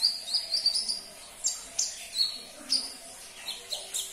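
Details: Sunbird song aimed at getting a caged bird to sing: a quick string of high piping notes, then spaced sharp chirps and short whistled sweeps.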